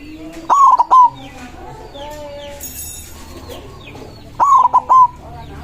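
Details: A white zebra dove sings strongly to challenge rivals, two matching phrases of quick stammering notes closing on a long, even coo, spaced about four seconds apart over light chirping from other birds.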